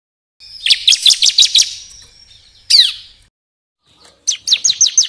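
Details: Bar-winged prinia singing, for luring birds and tutoring songbirds: a rapid string of high, clipped chips, one louder downslurred note, then a short burst of descending chirps.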